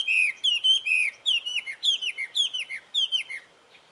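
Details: Melodious wambi song made of repeated slurred whistles that fall in pitch, about two each second, fading at the end.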